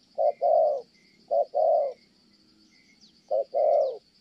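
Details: Spotted dove in Kon Tum, Vietnam, delivering its 'thổ' coo: three two-part phrases, each a short note then a drawn-out soft coo, with a gap before the last, over a thin high insect drone.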